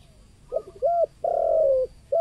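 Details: Local 'kuk 2' spotted dove calling as a lure for wild spotted doves: a stuttered short coo, an arched note, then one long steady coo that fades downward, and the start of another note.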